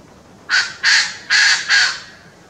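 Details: Partly hidden koklass pheasant singing a short series of four loud, harsh, raspy crowing notes, evenly spaced about a third of a second apart, against a quiet background.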